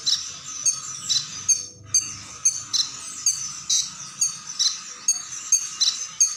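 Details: Brown-breasted ninja sunbird, singing strongly with varied shots, repeats high, sharp chirps roughly twice a second in an uneven rhythm, with steady hiss in the background.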